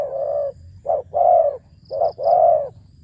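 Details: Spotted dove used as a decoy bird, with a deep-voiced coo in the style called khu ang kham. It gives a long low coo, then two pairs, each a short note followed by a long resonant coo.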